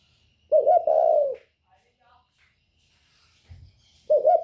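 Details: Cooing of a northern-type spotted dove in the 'còi bổi' style, used as a lure against other birds. One full throaty phrase, a stuttered opening then a sustained coo, is followed by silence and the start of the next phrase.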